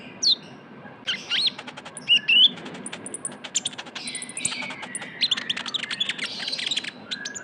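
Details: Van Hasselt's sunbird youngster (kolibri ninja), a lure recording: thin high ticks and short rising whistles, a pair of bright notes near two seconds, then a dense chattering stretch.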